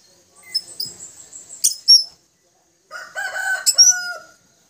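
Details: Blue-crowned hanging parrots, a pair, calling to a companion: two bursts of thin, shrill, very high squeaks and sharp buzzy notes, each burst about one and a half seconds.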